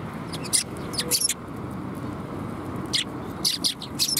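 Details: High, crisp chirps from sparrows at a Tenmangu shrine, 13 December 2021, come in two clusters of three or four notes separated by a quiet gap, set against a constant low rumble.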